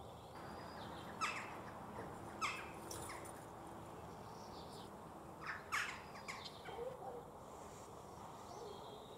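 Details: Western jackdaws in a village, atop a church, give about six short, sharp 'tchak' calls at irregular intervals, some in quick pairs, over a steady low background hum.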